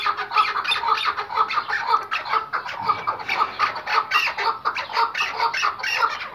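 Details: Tethered Iraqi white hunting Chukar partridge giving continuous harsh, clucking chuck notes in an uneven, rapid series, about two per second, with no other clear sounds.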